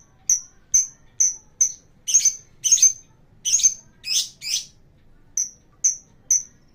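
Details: Lovebird song used as a lure to get other birds singing: short high chirps repeated about twice a second, with a few louder, buzzier rasping notes in the middle, over quiet background.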